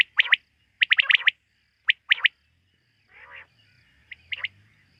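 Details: Quail heard at night giving scattered bursts of quick, high chirped notes, with a short hoarse rasp in the middle and faint low rumble underneath.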